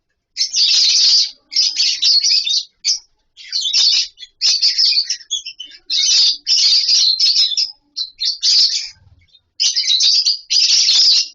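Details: Lovebirds sharing a colony aviary with wooden nest boxes keep up a noisy run of shrill chatter, delivered in bursts of about a second separated by brief pauses.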